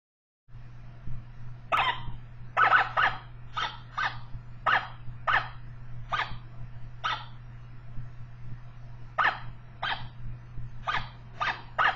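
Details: Zebra finch giving short, nasal, trumpet-like calls at irregular intervals over a steady low hum, in a lab choice arena where finches learned to recognise other individuals' vocalizations.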